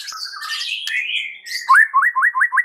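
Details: White-rumped shama song used to provoke other shamas into singing: varied whistled and scratchy phrases, then a fast series of sharp rising whistled notes repeated about four times per second.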